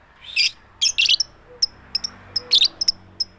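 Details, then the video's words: Female lovebird calling to the male in a "tik tik keyok" style without chattering: harsh broadband squawks alternate with short, sharp high ticks, irregularly spaced over a quiet background. "full power suara tik tik keyok Lovebird betina memanggil jantan tanpa ngekek"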